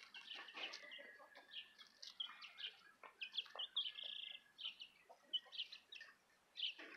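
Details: Southern Rambler chicks with a Golden Comet chick: a busy stream of short, high peeps, many overlapping and repeated in quick bursts, with soft scratching and shuffling sounds underneath.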